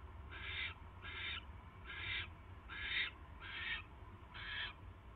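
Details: Barn owl at its nest, night of 22 January 2016, bringing a mouse: six gritty, snoring hisses in an uneven series, with a strong low hum running beneath.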